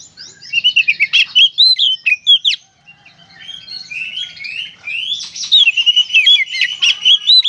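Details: Vigorous gacor konslet singing from an Oriental magpie-robin, meant to prompt song in others: rapid series of sharp chirps and swooping whistles, a brief lull of quieter notes, then more fast varied chattering phrases.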